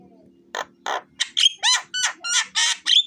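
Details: Javan myna song meant as a lure for birds: two rough notes, then a quickening burst of grating, metallic chatter with short high whistles woven in, over a faint low hum.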